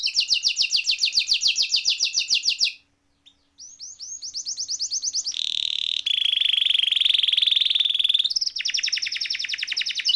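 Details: Canary singing as a training recording: rapid pulsed trills, a brief pause, then rising repeated notes, a steady buzzy roll, and another fast trill.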